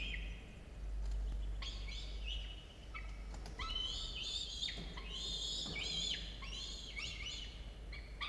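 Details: Two falcon nestlings, 17 and 13 days old, on a nest camera early on 27 October 2022; insistent overlapping screeching cries, strongly harmonic, wavering and falling in pitch, almost continuous with a few short pauses and faint clicks.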